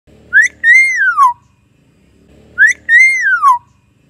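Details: Common hill myna, played to prompt a silent bird to sing: two identical loud whistles about two seconds apart, each a short upward note followed by a long clear whistle that rises slightly and then slides down.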